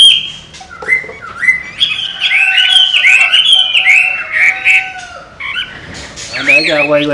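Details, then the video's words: Chinese hwamei trained by its owner, giving a varied warbling song of sliding whistles and chattering notes, then a harsh rasping burst near the end. "Họa Mi Hót"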